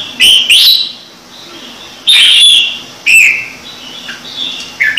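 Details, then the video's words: Caged red-whiskered bulbul singing in the "Trung Mang" style: short loud whistled phrases spaced about one second apart, each a bright rising-falling note, with quiet chirps in between. "CHÀO MÀO | Trung Mang hót giọng chuẩn cực hay"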